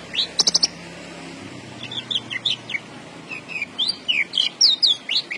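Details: Javan bush lark, caged and in strong song, gives a short rattling burst followed by a series of clear slurred whistles that grow louder, with a faint low hum behind.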